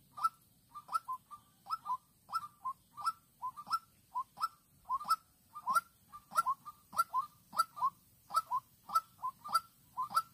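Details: White-breasted waterhen used as a young decoy bird in trapping at Vĩnh Long on 16 March 2022, meeting an aggressive rival female. It gives short, hollow, repeated notes, roughly 98 a minute in an uneven rhythm, with faint knocking clicks between them.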